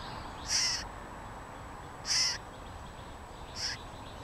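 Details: California scrub jay calling at the nest, recorded in early April with a GoPro Hero3+: three rasping, scratchy calls spaced one and a half to two seconds apart, the last shorter and softer, against faint constant background noise.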